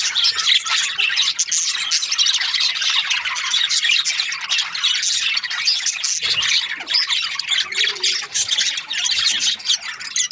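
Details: Continuous high, crowded chatter of Australian budgerigars: squeaky chirps, rasping squawks and warbling notes running together without a break.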